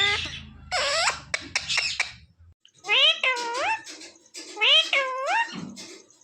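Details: Pet parrot, said to talk and say "mummy" and "papa", giving a run of loud harmonic squawks with rising and falling bends, several in quick bursts, separated by short pauses.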